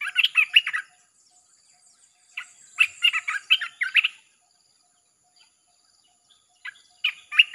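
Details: Red-whiskered bulbul delivering nonstop 'chopping' song meant to draw in wild birds: repeated runs of fast, chattering, liquid notes in three bursts, with short pauses between them.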